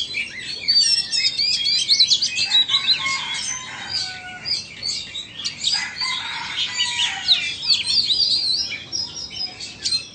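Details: Oriental Magpie-robins, a Vietnamese bird pitted against an Indonesian bird, singing against each other. Both pour out fast, varied streams of high, sweet whistles mixed with scratchy chatter and trills, almost without pause.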